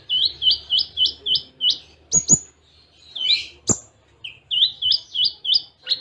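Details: Konin sunbird in a training recording with Cililin imitations: a series of about eight quick identical chirped notes, sharp clicks, a short jumbled phrase, then the chirped series resumes.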